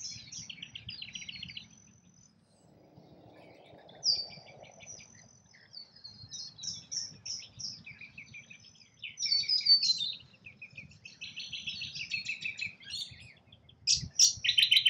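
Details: Rainbow lorikeets feeding in Australia: sparse high squeaks and buzzy rasps at first, then more crowded chattering screeches toward the end. A soft, brief rustle comes early on, set against a quiet background.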